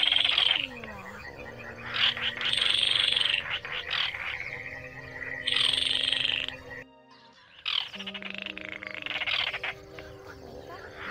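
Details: Baillon's crake call for night trapping. Fast mechanical rattling trills repeat in bursts of one to two seconds. A short silent break falls midway, and faint low croaking continues underneath.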